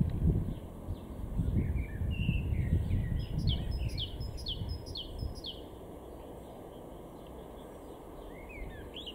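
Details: Great tit in a garden at Weener, East Frisia, northwest Germany, in April: a series of high, thin, repeated two-note phrases, softer chirps from other birds, and heavy low rumbling background noise.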